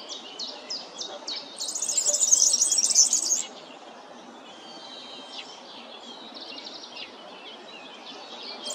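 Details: Sizzling high-pitched jingle from a European serin (Serinus serinus), about two seconds of fast, crowded notes, preceded by spaced bright chirps, with softer distant bird calls and outdoor noise afterward.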